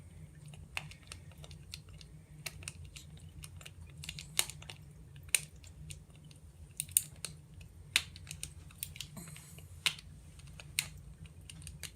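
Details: Sharp, irregular tapping and clicking over a low indoor hum, with no animal voice.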